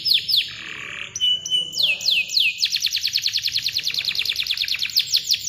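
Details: A singing canary delivers chirps and long rolls meant to restart birds that have gone quiet: a couple of falling notes, a flat whistled tone, slurred sweeps, then a fast, even, rattling trill to the end.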